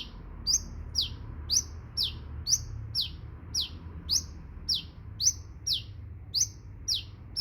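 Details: Sunbird singing a steady series of sharp, high chirps, each sweeping up then dropping, about two per second with uneven spacing, over a low background hum.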